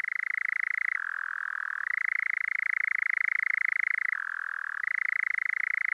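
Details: Male European Nightjar churring at sunset on heathland, a fast rattling trill that shifts down to a lower pitch twice and then climbs back up, running continuously without pause.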